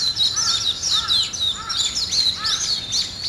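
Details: Morning birdsong with bright high chirps over a lower, soft two-part call repeated about every half second to second by another bird.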